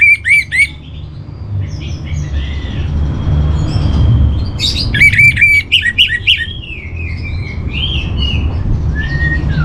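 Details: Orange-headed thrush training song: scattered short chirps and whistles, a long steady whistle near the middle, then a dense run of sharp repeated notes and slurred falling whistles over a constant low rumble.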